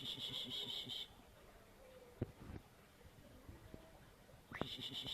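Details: Night-time eagle call heard as eerie: a fast, buzzy train of pulses about a second long, then a hushed gap with faint clicks and thin notes, and another pulsed burst returning at the close.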